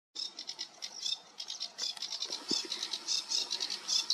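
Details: A sedge warbler sings on 28 June 2022: a fast, unbroken chatter of scratchy, ticking notes mixed with brighter twitters, in quick varied bursts with no pauses.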